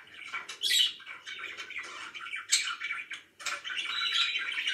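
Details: Pet budgerigars, said to be very happy, warble quietly in scratchy bursts with high squeaky chirps, separated by brief pauses and ending in a fuller chattering run.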